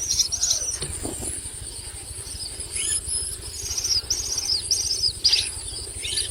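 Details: Common myna chicks fed a lizard by their parent give scattered, harsh, high downslurred rasping bursts in irregular clusters, with quieter gaps and a low background hum.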